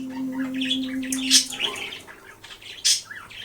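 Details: Male pet budgerigar playing with his disco ball in the sunlight indoors, chattering in fast scratchy warbles with sharp high squeaks, over a steady low hum that fades halfway through.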